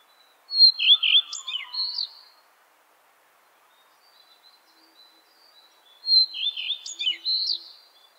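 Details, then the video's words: Common redstart (Phoenicurus phoenicurus) singing two short phrases about five seconds apart, each a clear high note followed by a quick, varied twittering flourish. "Горихвостка обыкновенная (Phoenicurus phoenicurus) - пение"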